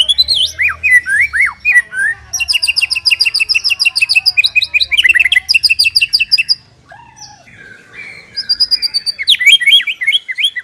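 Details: White-rumped shama master song meant for training caged birds; high, rapid, buzzy repeated notes and sharp chirps in long bursts, a brief pause, then more quick high phrases over a faint low hum.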